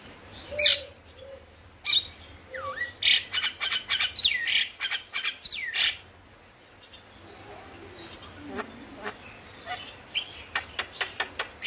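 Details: Male Javan myna singing as a prompt for reluctant birds: loud grating bursts and swooping U-shaped whistles early on, then quieter spaced clicks and short chips toward the end.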